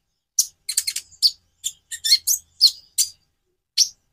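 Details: Konin (Van Hasselt's sunbird) giving high, sharp chirps in an uneven rhythm, some doubled and rapid, others spaced apart; nothing else is heard.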